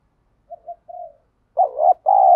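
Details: Wild spotted dove cooing in the wild: a few soft short low notes, then two louder, longer mellow coos with a throaty wavering quality.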